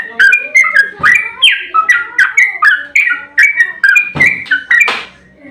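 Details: Sooty-headed bulbul singing an excited 'ropel' fighting song, used as a lure for other bulbuls: loud slurred whistles at about two per second, with some rustling noise near the end.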